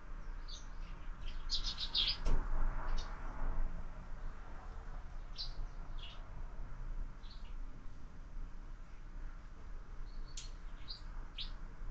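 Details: Sparrows at a window-mounted feeder at breakfast, where birds are fed year-round: short, bright chirps come in a dense cluster at first, then scattered single notes and a brief burst near the end, over a low, steady background hum.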